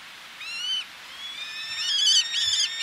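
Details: Eleonora's falcons at sea cliffs, a male calling close with females answering from ledges: a single drawn-out nasal note, then overlapping, bending cries from several birds that grow louder and crowd together.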